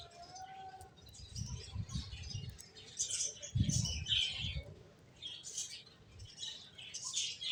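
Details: A group of finches twitters in bursts of bright, high tweets, briefly louder mid-way, over soft wingbeats and low bumping sounds.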